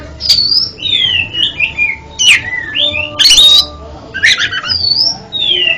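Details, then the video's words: Oriental magpie-robin (kacer) song meant to train a stuttering kacer: varied whistled phrases that slide up and down, broken by three loud scratchy bursts and ending in drawn-out falling whistles. "MANTAB BUAT TERAPI KACER ANDA YANG GAGAP BUNYI JADI JOSS KICAUANNYA"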